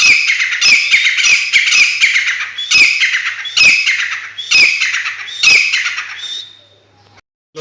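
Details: Caged Sindhi black francolin giving its call: a rapid string of harsh, scratchy, rasping notes repeated about once a second, loud and close, fading into quiet at the end.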